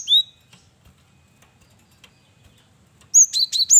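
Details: Male cinereous tit singing vigorously in varied song, used as a lure: one high rising whistled note, a long pause, then a quick burst of three sharp high chirps and a slurred ending.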